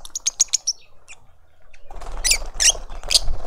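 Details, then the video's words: In a Pretoria suburban garden in South Africa, lovebird adults feed a juvenile: quick high squeaky chirps at first, then loud shrill screeches repeating about every half second over rustling noise. "Lovebird family feeding a juvenile"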